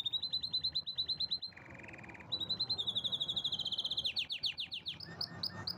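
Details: Canary in vigorous song: rapid trills, a drop into a lower buzzy rattle, then a long bright trill and a run of fast sweeping notes.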